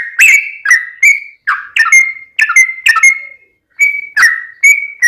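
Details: Bright yellow-vented bulbul phrases, used as a lure for other bulbuls: sharp downslurred chirps each followed by a clear level whistle, spaced irregularly with brief pauses.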